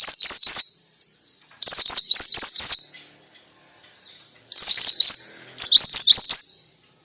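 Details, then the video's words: Ngalas-style white-eye song meant to set other white-eyes singing. High, thin chirping comes in bursts of quick zigzag notes about a second long, separated by short silences and softer trailing notes. "Suara Pleci Ngalas Bikin Semua Jenis Pleci Ikut Ngalas"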